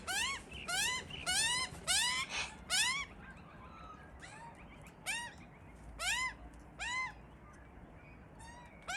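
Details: Two hungry Australian magpie chicks hidden in a tree, crying loudly and incessantly for food while their parents feed them; repeated rising, harmonic-rich squealing cries in quick bursts, then fainter spaced calls over quiet background.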